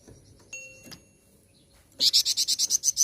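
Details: Flowerpecker (flamboyan) used as a lure to provoke other birds to sing: after faint scattered tones, a fast series of about ten sharp, very high ticking notes in an even row closes out the second half.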